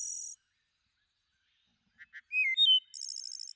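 A thrush sings separate phrases: a short high buzzy trill, a pause, two soft clipped notes, clear whistles sliding upward, then a rapid high rattling trill.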